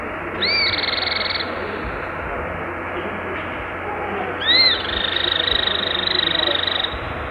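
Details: Cliff Flycatcher (Hirundinea ferruginea) gives two high, buzzy trills, each opening with a quick upslurred note, the second longer, over a steady rushing background.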